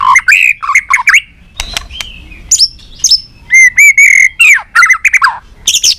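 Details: White-rumped shama singing in many voices, used to spur other shamas into song: a varied phrase of rich whistles, sliding notes and sharp clicks, including a held level whistle and a quick rising flourish.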